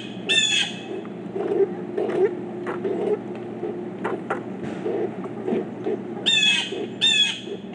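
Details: Harsh squawking calls from pileated woodpeckers, four birds together: one rasping note at the start, a long gap filled with soft low clucks and taps, then two more strident descending calls near the end.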